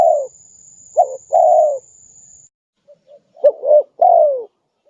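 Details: Spotted dove cooing, used to attract wild doves: short low notes leading into a long falling coo, repeated after a gap. A steady high electronic whine fades out partway through.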